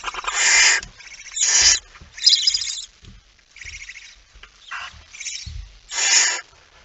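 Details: Barn owls at night, 17 September 2019, as a male comes in carrying a mouse: a series of six or seven harsh, rasping hisses and screeches of uneven length, about one a second, with faint scuffling between them.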